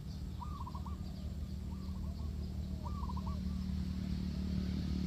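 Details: Spotted dove call used to lure doves into a trap: three short, soft cooing phrases spaced more than a second apart over a steady low rumbling background noise.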